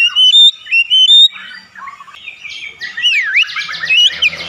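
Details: Kacer, or Oriental magpie-robin, singing in a therapy recording for prompting birds to sing: a run of loud pure whistled phrases, then a quieter jumble of varied chirps, buzzy trills and quick sweeping notes.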